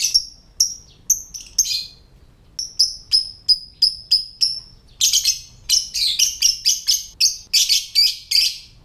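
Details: Typing-like ngetik call of a lovebird, meant to set other lovebirds calling and breeding: a steady series of crisp high chirps about three per second, turning into denser, harsher rapid bursts in the second half.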